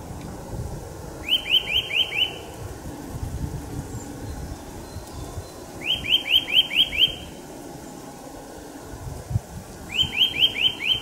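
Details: Eurasian nuthatch singing in a forest in March: short bursts of five or six rising, clear whistled notes, repeated roughly every four to five seconds over low background rumble.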